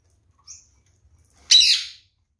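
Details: Captive pair of red-fronted kakariki eating seeds; one gives a faint high chip, then a single loud, harsh, grating squawk lasting about half a second, otherwise quiet.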